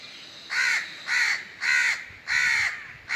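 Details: Crow repeating five grating caws in a steady rhythm, roughly every 0.6 seconds, with little background noise.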